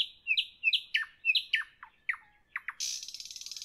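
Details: A nightingale singing in the evening gives a rapid phrase of repeated paired chirps, then clear downslurred notes, ending in a fast, harsh buzzing rattle.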